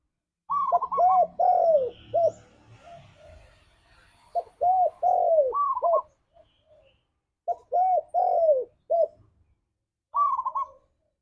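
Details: Spotted dove (tekukur) singing in the lively 'gacor ngalas' style, played to stimulate caged doves; three repeated phrases about every three seconds, each a brief trill followed by three or four rounded, falling coos.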